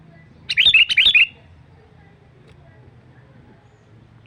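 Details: Sooty-headed bulbul call used to attract wild birds: one lively phrase of five or six quick warbling whistles, then quiet low hum, with another phrase just starting at the end.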